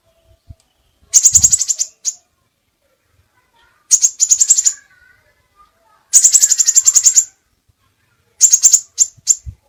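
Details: Crimson sunbird (Aethopyga siparaja) masteran song, many variations: four high, metallic rattling trills of quick pulses, each about a second long, spaced by short pauses, with a faint low thump near the start.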